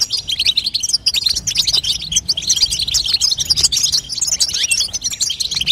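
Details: Continuous twittering of a female European goldfinch, meant to push a young goldfinch into song: rapid, bright, high-pitched chirps tumbling over one another without pause.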